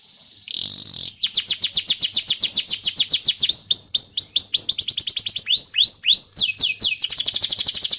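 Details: Canary training song for young and silent canaries: buzzy opening, long run of fast descending whistled notes, upswept chips and a closing rapid trill.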